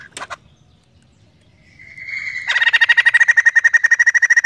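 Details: White-crested laughingthrush singing energetically, as the bird's name in the local language describes it: a brief sharp note, then a drawn-out rising tone that breaks into a fast, steady rattle of loud repeated notes with a ringing quality.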